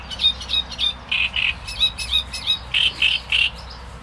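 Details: Great reed warbler singing: loud, harsh, croaking notes repeated in quick runs, some higher and thinner and others lower and grating, several notes a second across four seconds.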